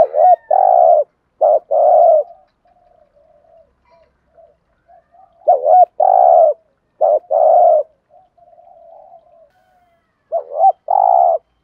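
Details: Bursts of spotted dove lure cooing in gù thúc style for stimulating trained birds: a wavering lead note and a buzzy sustained coo, repeated in clusters, with soft low murmurs filling the pauses.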